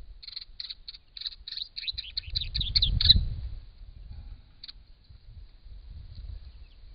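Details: Camera-trap recording of a wild brown treecreeper drinking and bathing at a pond in regional Victoria, Australia: a fast run of high, clipped chirps for about three seconds, then one isolated note, over low splashing and handling noise.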